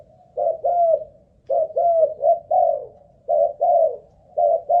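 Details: Spotted dove kept as a ground decoy, tested for staying power: warm, hollow coos, some drawn out and slightly falling, delivered in clusters of two or three.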